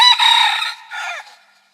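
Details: Rooster crow, loud and hoarse: a long sustained strained note followed by a shorter falling final syllable, the whole call lasting just over a second, with no other sounds.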